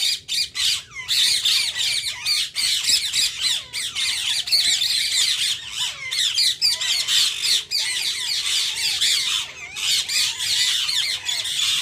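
Rose-ringed parakeets give a steady stream of shrill, screeching squawks and chattering notes, several birds calling over one another almost without pause.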